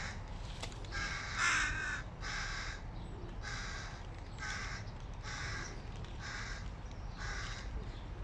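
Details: Begging hooded crow chicks, hungry as their father shows up with food: a steady string of about eight harsh, grating caws, each near half a second long, evenly repeated.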